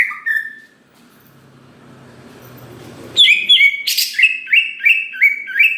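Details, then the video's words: Greater green leafbird singing to provoke other leafbirds: one short note, a quiet gap, then a lively series of sharp, descending whistled notes repeated about three times a second. "Cucak Ijo Gacor Paling Pintar Memancing Cucak Hijau Lain Agar Cepat Bunyi Gacor"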